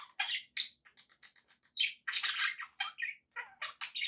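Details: Pet budgerigars chattering with harsh squawks, buzzy warbles and short chirps delivered in quick, uneven bursts.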